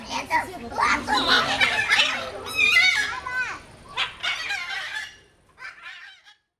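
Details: Two scarlet macaws at Novosibirsk Zoo scream with harsh, raucous screeches in rapid bursts, with a few shorter squawks near the end; people's voices can be heard alongside them.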